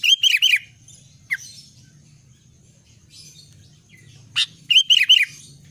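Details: Albino sooty-headed bulbul singing actively: two short bursts of bubbly, warbled notes rising and falling around the upper middle range, one near the start and one near the end, with a few sharp single chips between.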